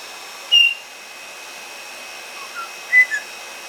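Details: Pet white-bellied parrots, content in the warm air of a hair dryer after bathing, let out brief piercing whistles near the start and again near the end, with soft lower chirps between, against constant dryer hiss.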